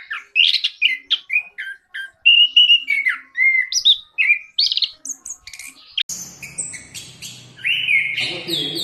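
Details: Orange-headed thrush, one of ten birds, singing hard: rich varied phrases of whistles and chirps, rising and falling notes in quick succession, then from about six seconds a denser, scratchier run of high notes over a low hum.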